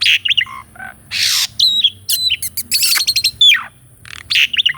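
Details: Caged Asian pied starling in full varied song, recorded to provoke a non-singing starling: harsh hissing bursts, falling whistles, rapid rattles and squeaky chips packed into a short burst.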